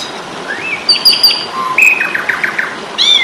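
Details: Asian pied starling tutor song in fighting mood: a rising whistle, soft repeated chirps, a low note, then a rapid series of short buzzy notes and a final sharp burst.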